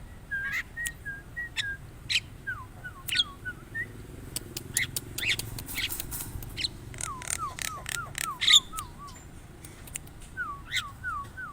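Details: Javan myna repeating short level whistles, then quick wavering whistled series in threes and fours, interspersed with loud harsh scratchy bursts; faint low rumble in the background.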